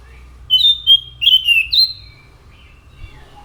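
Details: Orange-headed thrush singing a quick series of clear whistles, some rising and some slurring down, lasting about a second and a half amid low background rumble.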